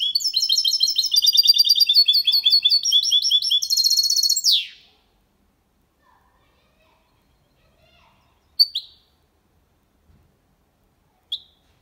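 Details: Goldfinch × canary hybrid giving a clean Malaga copy song to stimulate females and teach young birds; nearly five seconds of rapid twittering and buzzy trills end abruptly, followed by silence and a few isolated chirps.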